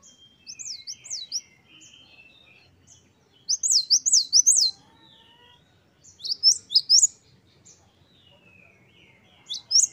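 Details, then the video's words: Quieter great tit song in the wucit-wucit style, short bouts of two to four high looping whistles separated by longer gaps. "Gelatik batu gacor | Glatik Wucit2 10 variasi Masteran Gelatik Gacor | Parus Major."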